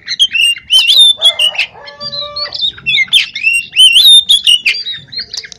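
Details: Kacer, the oriental magpie-robin, out of its cage in Pemalang, Central Java, Indonesia, pours out a loud, varied song of rising and falling whistles and harsh chatters, with one steady buzzy droning note held mid-phrase.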